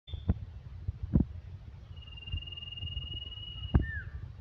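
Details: Male common iora singing one long, steady, high whistle held for nearly two seconds, then a short downslurred note, over low thumps and knocks.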